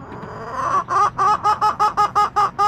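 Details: Backyard chickens recorded on April 23, 2024, one hen giving a rapid series of about ten evenly spaced, nasal clucks, each short and harmonic-rich, following a quieter rising note at the start.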